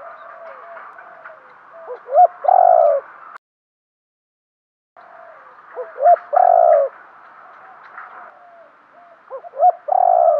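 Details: Decoy spotted dove calling to attract wild birds: quiet slurred notes build into quick rising flicks and then a loud, rough, drawn-out coo, the phrase heard three times with a silent break.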